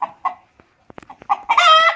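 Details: Crowing rooster: two short clucks, a few faint clicks, then quick syllables rising into a sustained, bright, harmonic final note lasting about half a second.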